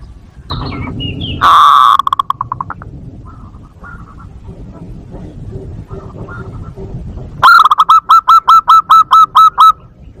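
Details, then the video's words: Lure call of the zebra dove, played to draw doves and trigger breeding: a short loud cooing burst with stuttering notes, a lull of faint low murmuring, then a long even run of about ten staccato cooing notes. "PIKAT PERKUTUT ‼️ Suara Jernih Ampuh Buat Pikat & Masteran Perkutut Untuk Merangsang Birahi"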